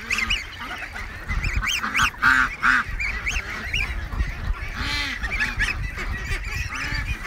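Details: Free-range domestic geese in Canada crowding around a man, one having come up behind and tickled his leg; repeated nasal honks, rising then falling, several birds calling over one another, with quacking ducks and a man talking.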